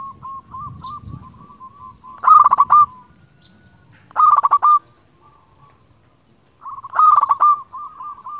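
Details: Rolling low coos from a local zebra dove calling rivals, used to lure and excite other doves, broken by three loud stuttered bursts spaced about two seconds apart, each fading into a level trill; faint rumbling underneath.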